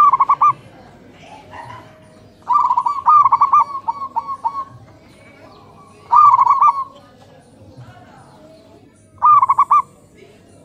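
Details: Zebra doves of a local strain answering each other in the morning. Repeated phrases of quick, bubbling coo notes roughly every three seconds; one longer phrase trails into a series of softer, fading pulses.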